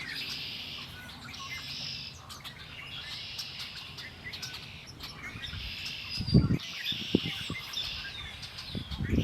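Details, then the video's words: Mixed birds singing at Lake Erie, rolling high trilled phrases repeated in roughly two-second bursts, with loud low thumps and knocks near the end. "Birds singing by Lake Erie"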